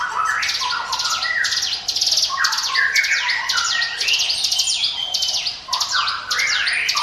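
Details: Mountain prinia song, presented as a lure recording to attract other birds: dense, loud chattering with repeated high buzzy bursts and shorter whistled notes, continuing almost without pause over a steady hiss.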